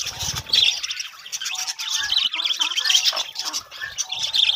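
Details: Budgerigar breeding colony producing harsh squawks mixed with chirpy warbling from many overlapping birds, steady lively chatter throughout.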